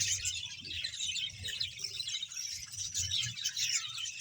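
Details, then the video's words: Many budgerigars in a Bahawalpur colony of roughly 100 pairs: soft, overlapping high warbles and chirps blending into a continuous murmur, with a low background rumble. "budges sound"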